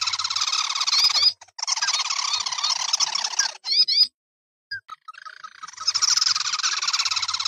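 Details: Ruddy-breasted crake, known in the village as sintar api, in an edited lure recording: dense, harsh, rapidly trilled high notes in long bursts broken by short silences and a few squeaky chevron notes.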